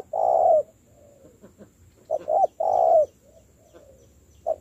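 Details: Long low coos from a spotted dove under decoy training, phrases spaced roughly two seconds apart, with soft quieter murmuring notes and faint rustles in the gaps.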